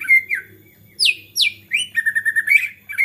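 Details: Excited white-rumped shama singing to provoke other shamas; clear whistled notes, two loud falling sweeps, then a rapid rattling trill ending in a bright whistle.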